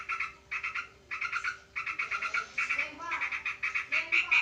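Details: Sooty-headed bulbul facing a rival sparrow in combat: grating, buzzy chatter delivered in clipped bursts of four to six rapid notes, gaps shortening until the rattle becomes nearly unbroken, with faint squeaky notes mixed in and a low electrical hum.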